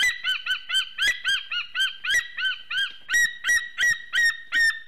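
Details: Breeding pair of white-tailed eagles in Latvia's Slītere National Park, the male singing to the female during mating time, September 2020 afternoon: a steady run of loud, yelping, slightly downslurred notes about two to three per second.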